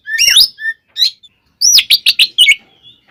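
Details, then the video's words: Aggressive Oriental magpie-robin song meant to anger other magpie-robins: a warbled whistled phrase, then a quick series of five or six ringing downslurred notes. "SUARA BURUNG kacer gacor TARUNG KONSLET nembak ini AMPUH buat PANCINGAN KACER agar EMOSI SEKETIKA"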